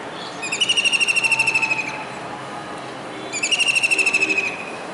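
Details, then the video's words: Kingfisher sitting on a rooftop disc antenna in Surat, Gujarat, calling on a rainy July 2019 day as though seeking another bird. Two piercing, rapid trills, each over a second long, are separated by a two-second gap. "Kingfisher Bird's Voice"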